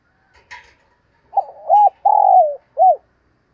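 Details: Decoy spotted dove gives its luring call: a faint chirp first, then a low rolling note, an arched coo, a long buzzy coo sliding downward and one closing arched note.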